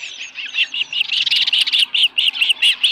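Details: Osprey at its nest with a small live fish, July 2018 morning. A steady series of high, clipped chirps, about four per second, grows louder after the first second.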